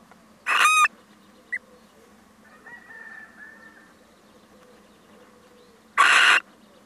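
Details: Little owl male visiting: two loud, rough screeches about five seconds apart, with a single short high note and a faint drawn-out whine between them.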